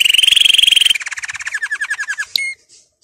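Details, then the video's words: Canary song for training, a rapid, high, even trill that drops into a slower series of lower, rolling notes before a short sharp chip ends the phrase. "Canary 's most powerful song for training"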